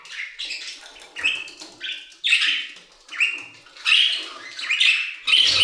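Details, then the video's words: Budgerigars singing in an aviary: a busy run of short chirps and warbled notes, bursts rising and falling in pitch, some harsh and scratchy, coming in uneven clusters about every second. "Budgie Songs - 1 hour of Budgies singing in the Aviary"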